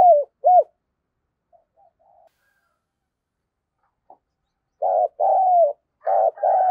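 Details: Decoy spotted dove cooing to lure wild doves. Two short arched coos open the clip, followed by quiet faint notes and a pause. Then come stronger phrases with a long falling coo and clipped closing notes.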